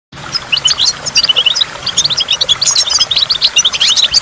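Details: A goldfinch at a waterfall sings a fast, steady stream of high, liquid twitters and tinkling chirps, with a soft hiss of running water and water drops underneath.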